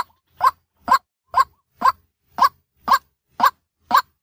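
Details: White-breasted waterhen calling by day as a lure: eight short, hollow kook notes in about four seconds, evenly spaced, with faint low rumbling beneath.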